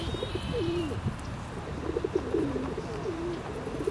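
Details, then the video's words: Ring-necked duck giving low, soft tonal calls that dip and waver, with a brief higher whistled note near the start, over a steady background hiss. "Ring necked Duck"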